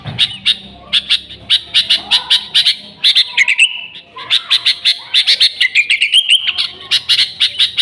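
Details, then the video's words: Sooty-headed bulbul singing energetically, an original recording with no other species' songs mixed in, used to lure bulbuls: rapid bursts of sharp high chirps, a few rising whistled slurs and a trilled run near the end. "Suara Burung Kutilang Gacor ASLI Tanpa isian, Ampuh untuk Pikat Kutilang bikin kutilang Ribut gacor"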